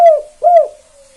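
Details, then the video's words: Two rounded, hollow coos from a spotted dove, a 'KUK 2' style caller used to lure other doves into calling. The second coo rises and then falls, and a faint low tone trails after it. "Tekukur KUK 2 Gacor satu ini AMPUH Banget Pancing Derkuku Lain Biar Ikut Bunyi"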